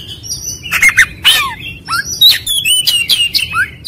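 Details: Kacer, or Oriental magpie-robin, trigger song for prompting a fast aggressive reply: clear whistled notes and short rising and falling slurs mixed with scratchy chirps, delivered in quick bursts.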